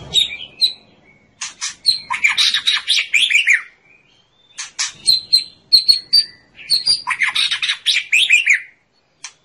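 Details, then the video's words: White-rumped shama training song meant to excite other birds into singing: rich, varied phrases of clear whistles mixed with rapid chattering trills and sharp clicks, in bursts separated by short pauses. "Suara Burung Murai Batu"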